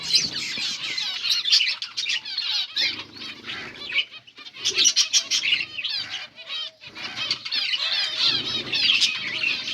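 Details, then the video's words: Finches chirping as they eat green food, August 17, 2024: many birds twittering together in waves of rapid high notes, broken by brief quieter gaps and soft rustles. "Beautiful finches eating green food birds chirping sounds"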